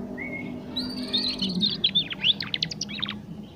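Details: A young canary in the early stages of learning to sing gives a thin whistled note, then a run of quick, sharp chirps falling into a fast stuttering trill, against faint background hum.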